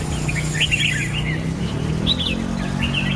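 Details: Brief bursts of bright warbling from a red-whiskered bulbul: quick looping whistled notes, a pause, then another short phrase, over a low droning background.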